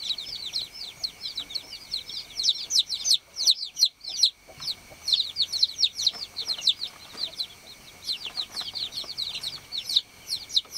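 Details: Baby chickens on a farm chirping continuously: a dense stream of high, short, downward-sliding peeps from several chicks overlapping, with a brief quieter gap near the middle and faint low rustling beneath.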